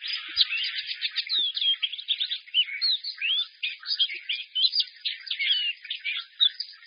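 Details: White-eye in a cage belting out a dense, continuous jumble of high twittering and warbled phrases, bright and full of notes, with a couple of faint clicks.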